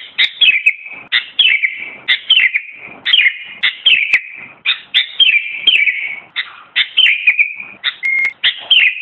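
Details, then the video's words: Sooty-headed bulbul (kutilang) giving an unbroken stream of repeated bubbly phrases, each a sharp note sliding down into a warble, roughly two per second, with one brief steady whistle near the end. "Suara Kicauan burung kutilang mp3 (sooty-headed bulbul)"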